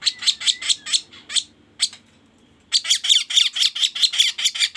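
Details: Lure call of a sooty-headed bulbul used in trapping: a burst of buzzy chips, a near-silent pause, then a fresh run of loud, rasping notes at a brisk pace.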